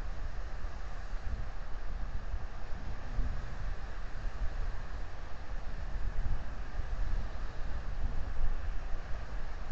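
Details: Steady low wind rumble buffets the microphone throughout, with no animal calls heard.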